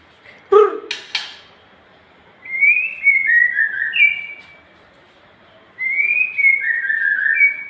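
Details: A Nias hill myna's long song from a cage-bird training recording: a brief harsh burst, then two spaced groups of clear, gliding whistles that drop in steps, separated by quiet pauses.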